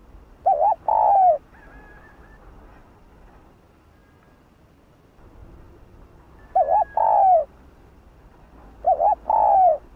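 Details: Spotted dove cooing in the 'hạp bổi' voice, from a full calling, 'thúc' and 'gù' sequence. Three low coo phrases, each a wavering note then a drawn-out hoot, come about every three seconds with near silence between.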